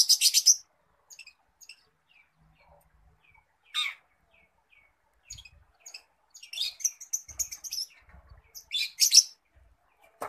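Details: Long-tailed shrike imitating other species opens with a harsh burst, then long pauses dotted with soft single notes, a lively chattering phrase, and another harsh, scratchy outburst near the close.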